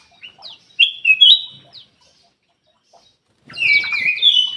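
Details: Ruby-throated bulbul song used to lure reluctant birds into singing: a loud whistled phrase near the start, a quiet gap of about two seconds, then a dense rich warble.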